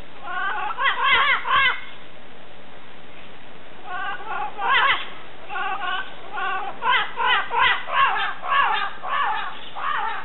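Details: Several Costa Rican birds call in quick bouts. The nasal, bleating notes are stacked in harmonics, come in clusters of two to four and overlap irregularly, over constant background hiss.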